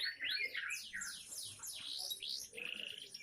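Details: Young canary in full isian song: rapid sweeping whistles swooping down and up between high notes, short bright phrases running together, ending in a fast chattering trill.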